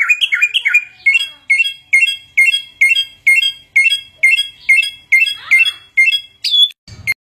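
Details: A hwamei (samyong) mimicking sounds: a couple of warbled phrases, then a regular series of loud, upslurred chirps repeated about every 0.4 seconds, ending on a high whistle and a brief thump.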